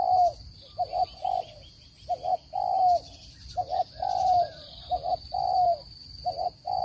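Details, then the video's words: Spotted dove lure call for trapping birds. Low hollow coos in a double-then-long pattern repeat three times in close succession, with small birds chirping and a persistent high-pitched whine in the background. "Tiếng chim cu gáy dùng để bẫy chim,giọng chuẩn không tạp âm"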